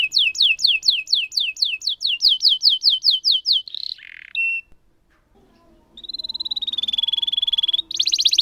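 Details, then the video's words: Canary delivering a long roll to coax silent canaries into song: a run of quick descending whistled sweeps, a brief pause and near silence, then a steady rapid trill rising in loudness. "Burung Kenari Gacor Ngerol Panjang Untuk Pancingan Kenari Macet"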